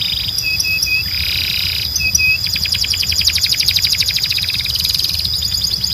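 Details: Training song for canaries: short paired whistled notes with a brief noisy burst between them, then a long, fast, even trill of high pulses to the end.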